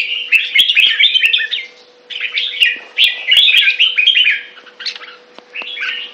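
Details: Red-whiskered bulbul song, known locally as jambul: lively warbled phrases of bubbling, slurred notes delivered in bursts with brief gaps between them, over a faint constant hum.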